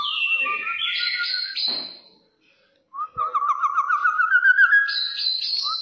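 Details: Aggressive-style brown oriole song: high whistled phrases stepping between pitches, a brief silence, then a long rapid trill of notes rising gradually in pitch, ending in clear high whistles.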